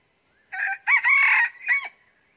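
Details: Red junglefowl rooster used as a decoy to trap wild birds, crowing loudly: a short opening note, a long harsh sustained middle phrase, then a brief falling end note, over a faint steady insect hum.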